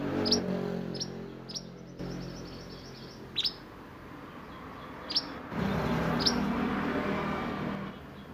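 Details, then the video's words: Sunbird in lively roll nembak song, used for tutoring songbirds. Sharp, high, downslurred chirps come in uneven bursts, some doubled, against a steady low rumbling background. "Burung mantenan gacor roll nembak untuk masteran"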